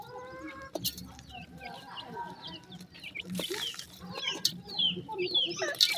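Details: Teetar chicks feeding, giving high, thin chirps repeated about twice a second. They grow denser and louder in the second half, over a faint low hum and scattered knocks.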